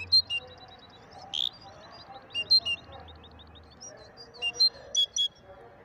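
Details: Moroccan European goldfinch, called a singing maestro, giving scattered sharp, bright chirps and short twittering notes in uneven clusters, with a faint thin series of repeated notes and low hum behind.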